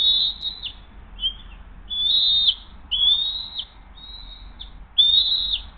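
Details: Hays nest bald eagles on 20 June 2023, mother feeding the eaglet a freshly delivered fish: loud, high, reedy whistles, six in six seconds, some long and level, one short and lower.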